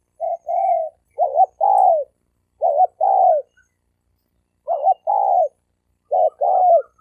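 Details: Wild male spotted doves fighting, a challenge recorded in 2020. Hoarse paired coos, a brief clipped note then a fuller falling note, repeat in four groups across seven seconds.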